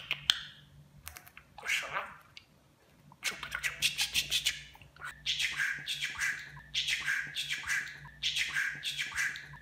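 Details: Budgerigar kept as a pet, mimicking Turkish phrases; clicks, then a chattering run of buzzy syllables repeated as similar phrases about every one and a half seconds.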